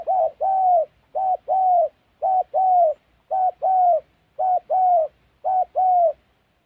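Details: Loud, clear spotted dove cooing, recorded while trapping in the wild forests of Gia Lai, Central Highlands, Vietnam: six steady doublets, a clipped note then a longer mellow falling coo, evenly spaced about one second apart.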